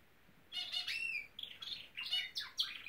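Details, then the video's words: Norwich canary giving scattered short chirps and twittering notes, some with a thin rising whistle, in uneven bursts after a second of quiet. "the Nowrich Canary singing!"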